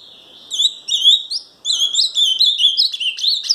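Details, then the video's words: Ultramarine grosbeak song from Paraná: after a faint start, a quick run of sweet slurred whistles, a brief pause, then another bright warbling phrase of swooping notes. "Azulão Paraná"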